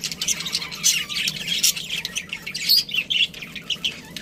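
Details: Budgie chatter of harsh little squawks mixed with sharp high chirps, bursts tumbling one after another with brief gaps, over a soft steady low hum.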